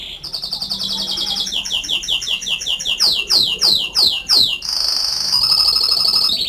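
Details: Loud canary whistling made of fast repeated tours: rapid trills, then a series of descending sweeping notes, a held high whistle and a closing trill, continuous and bright throughout.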